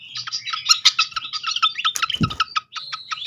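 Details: Srikatan (flycatcher) song meant to trigger singing: continuous fast chattering of bright notes, with a low thud midway. A faint hum lies underneath.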